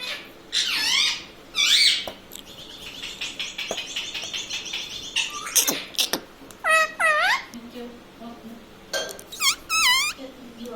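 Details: Pet green parrot talking indoors, taught to say "mummy", "papa" and "radhe radhe"; high, nasal, harmonic swooping syllables in short bursts, with a scratchy, noisy stretch in the middle and quiet gaps between words.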